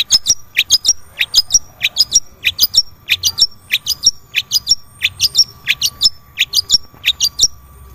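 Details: Long-tailed shrike song, played to coax a silent caged shrike into singing: quick high chirps rising to sharp whistled peaks, given in rapid pairs and triplets about every half second, over a faint steady hum.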